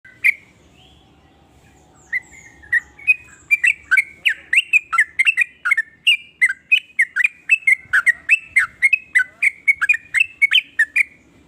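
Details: Sooty-headed bulbul singing in the rapid nonstop 'nrooel' style: after a few scattered notes, a fast run of short, sharp, slurred chirps repeated about three per second, with a steady quiet low hum beneath.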